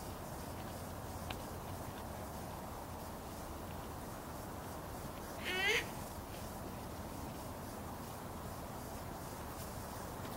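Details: Great horned owl (Bubo virginianus) giving a strange screech: one harsh, raspy screech lasting about half a second, midway through a steady background hiss.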